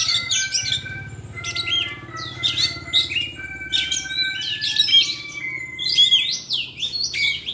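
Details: Kacer delivering bursts of high, scratchy chattering and quick whistled notes in rapid repeated phrases, a thin steady tone underneath and a low hum in the background.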